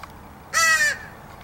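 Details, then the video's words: A single harsh caw, about half a second long, from one of a family of crows fed in the morning, recorded 9/10/2014; a man speaks quietly around it against faint outdoor hiss. "watching all my crow family"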